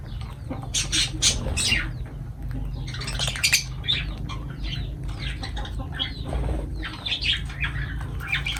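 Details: Lovebirds near their food keep up a busy stream of harsh, high chirps and squawks, overlapping almost without pause, over a steady low household hum.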